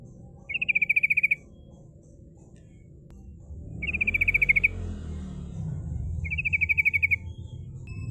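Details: Female sooty-headed bulbul, used as a lure for rivals, singing in the rolling 'ngerol' style: three evenly spaced rapid trills about three seconds apart, over steady low rumbling noise.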